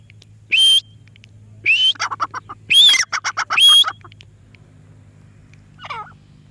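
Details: Parrot giving a few loud rising whistles mixed with a quick run of harsh, rasping chatter, then a pause and one faint twisting note near the end.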